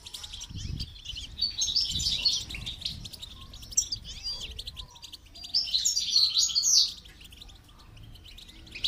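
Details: Goldfinch during training sings two main bursts of rapid, high, sparkling twitters separated by quieter scattered notes, with faint low background noise.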